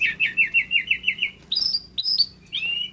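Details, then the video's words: Male pygmy cupwing singing: a steady run of about eight quick, evenly spaced chirps, followed by three higher, drawn-out whistled notes, each slurring downward. "TERLALU KEREN BURUNG SEKECIL INI KALO SUDAH GACOR...TLEDEKAN GUNUNG JANTAN FULL SENYUM"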